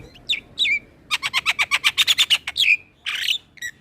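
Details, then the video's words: Male Asian pied starling in full song, used as a model for training other starlings: slurred whistles open, then a quick rattling burst of about a dozen clicking notes, ending with a whistled downslur and a harsh buzz. "Kicauan Jalak kebo Jantan Full Isian Pas Untuk Masteran Semua Jenis Burung jalak"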